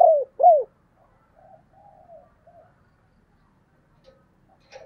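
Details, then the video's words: Spotted dove calling with urging and calling coos: two strong, downward-arched coos open, then soft, faint coo fragments follow in otherwise quiet surroundings. "tiếng cu gáy/ thúc + gáy gọi"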